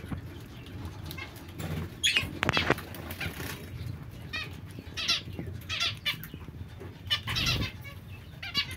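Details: Zebra finch uttering clusters of buzzy, nasal call notes in quick runs, with a sharp rattling noise just after the two-second mark and low background hum.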